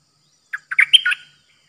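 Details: Caged Streak-eared bulbul kept as a new decoy bird, recorded 06/05/2022 giving pure 'dok' phrases: a quick run of five chirpy, slurred notes in about 0.7 seconds, the fourth highest and brightest, in a quiet background.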